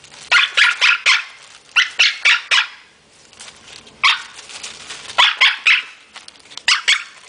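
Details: Parrot barking while playing with a plastic bag: clusters of three or four sharp, raspy, high-pitched barks separated by brief pauses.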